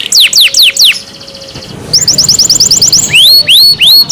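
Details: Captive canary singing: a short burst of falling notes, a quiet pause with a faint hum, then a quick buzzy trill and a few upward-curving whistled notes.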